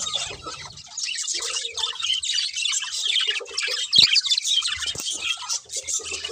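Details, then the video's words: Budgerigars in a group keep up a busy, high-pitched chatter of twittering and scratchy notes, with a few lower soft tones and a brief clicking knock near the middle. "Cute Budgies Chirping Sounds"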